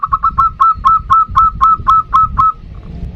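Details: Zebra dove female calling to a male, with a big-voiced local male answering back. Clear hooting notes repeat about four times a second in a steady even series, then stop. A low rumbling background sits underneath.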